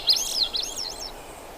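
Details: Thrush singing a brief phrase of high, clear whistled notes that swoop up and down in quick wavering slides, with light background hiss.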